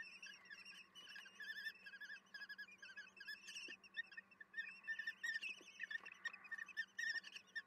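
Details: Common kestrel chicks in a nest box at feeding time, evening of 10 June 2022: many overlapping thin, wavering high begging calls, constant and busy, over a steady low hum.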